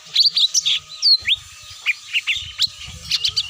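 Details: Cucak mini pikat call meant to make birds descend: clipped high tweets and rising whistled notes, one clear sliding whistle in the middle, with a soft low rumbling noise beneath parts of it.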